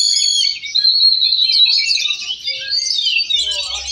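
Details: Oriental magpie-robins (kacer) competing in a songbird contest class in Cilegon on 5 December 2023. Dense, overlapping high twittering and whistled phrases run almost unbroken from start to end, from several birds at once.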